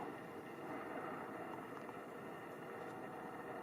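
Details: Constant rushing water noise, broad and even, with no animal calls.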